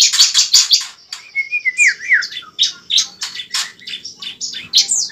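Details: Bar-winged prinia fighting song used to provoke a bird into singing: dense bursts of high buzzy chips and trills, a few short level whistles near the middle, notes tumbling rapidly in uneven succession.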